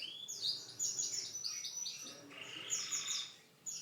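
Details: Brief burst of canary song: quick high chirps and descending slurred notes run together with buzzy trilled passages.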